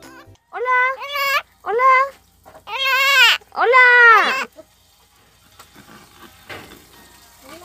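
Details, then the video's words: Orange-fronted (atolero) parakeet imitating human speech: harsh, nasal, speech-like phrases in four bursts over about four seconds, then faint quiet background; this species repeats short words, though less clearly than other parrots. "periquito atolero hablando como persona"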